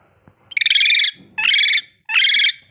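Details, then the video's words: Three loud, buzzy, harsh screeches from a pet ringneck parrot having fun, each lasting about half a second, the first with a stuttering start, with brief silence between them. "Ringneck parrot talking and having fun"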